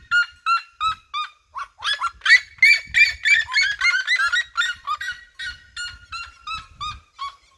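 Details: A band of red-legged seriemas in open fields calling around the recordist: yelping barks start spaced, speed into a frenzied overlapping crescendo, then slow back to separate notes; quiet background.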